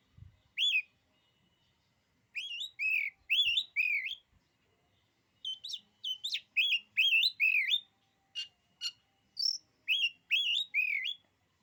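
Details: ['Oriental magpie-robin pouring out a song meant to make other magpie-robins lose their nerve: bursts of loud, ringing whistled phrases, upslurred and warbling, grouped in runs of three to five with short pauses, about a dozen and a half notes.']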